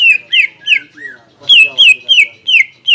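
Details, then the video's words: Greater green leafbird lure song used to spur contest birds into ngentrok fighting: a measured series of clear downslurred whistles, each about a third of a second apart, some buzzier overtones, rising loudness toward the end. "PANCINGAN CUCAK IJO GACOR AGAR MAU NGENTROK DAN FIGHTER SAAT LOMBA"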